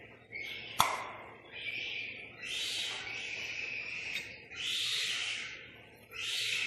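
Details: Boat-billed heron chicks, one a day old and one four days old, in care at Prague Zoo, Czech Republic, during a routine check: a string of airy hisses of varying length, with a sharp click near the start.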